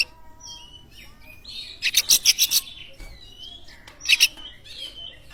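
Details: Oriental magpie-robin singing as a lure to make other birds sing: thin high whistles, then a quick series of five rasping, scratchy notes and a later harsh double burst, over a low steady background hum.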